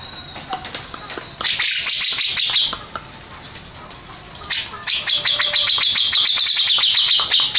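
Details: Contest-winning Grey-cheeked bulbul giving two loud bursts of harsh, buzzy chattering separated by a quiet gap with faint distant notes, the second burst a quick run of clipped strokes.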